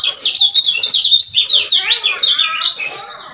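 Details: Lemon-bellied white-eye male from Lombok giving 'ciak ciak' lure calls: a continuous, loud stream of quick, high, downslurred chirps tumbling over one another without pause.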